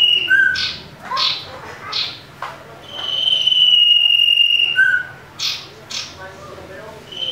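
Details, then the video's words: Common iora singing aggressively during a fight, used as a lure: short slurred whistles and sharp chirps, then a long level high whistle of nearly two seconds, followed by more chirps. "Cipoh Tarung Ngamuk"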